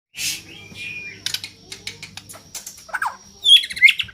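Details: A neglected white-rumped shama, described as having a strange voice, gives a varied jumble of high chirps, short whistled notes and scratchy squeaks, with a low steady hum underneath.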